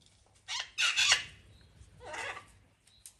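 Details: Pet parrots enjoying good weather in a summer house give harsh, grating squawks: a short burst, then a longer rasping call with a tail, and a second squawk after a pause, over faint low background hum.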